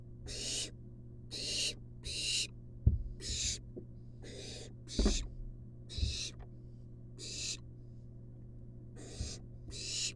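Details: A wild barn owl nestling begs for the long-tailed rat its mother delivers to the nest box, giving about nine rasping hiss bursts at intervals near one second, punctuated by sharp knocks and shuffling thumps.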